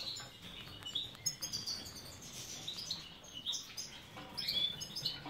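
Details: Breeding European goldfinches of the major subspecies, caged in Ioannina, Greece, produce sharp high clicks and sweet tinkling chirps repeated in quick clusters over a steady low murmur.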